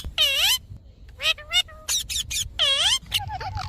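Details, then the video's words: Parrot from a talking compilation giving loud, down-swooping harmonic calls at the start and again later, separated by short clipped syllables and squeaky chirps. "Parrot Talking"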